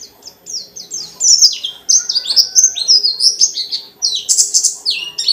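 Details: Pleci dakun white-eye in nonstop 'ngalas' song meant to provoke other white-eyes into singing: rapid high chattering phrases of short down-slurred whistles, some dropping sharply in pitch, with brief pauses between bursts.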